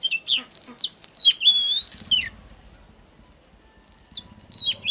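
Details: Lure song of an oriental magpie-robin meant to provoke singing: rapid sweet whistles and a long wavering note, then almost two seconds of quiet with low rumbling, before bright whistled notes resume.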